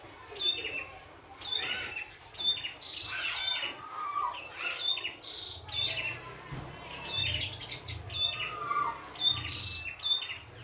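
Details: Wild red-headed prinia singing lively and full, with short sharp chirps and bright whistled notes repeated roughly every second, mixed with fuller twittering phrases over low rural background rumble.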